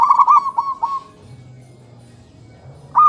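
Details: Zebra doves calling to each other at morning: one quick rippling, trilled coo phrase fading after about a second, quiet low hum, then another phrase beginning at the end.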